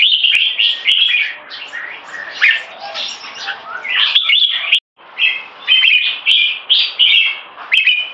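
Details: A duel between two competition red-whiskered bulbuls, one in molt: lively warbled phrases in repeated bursts about half a second long, with a brief silence midway and sharp clicking sounds.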